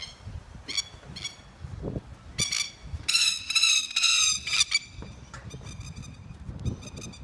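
A plover gives harsh, strident alarm calls in quick bursts, rising to a loud rattling volley midway, while a man shouts at it in the background.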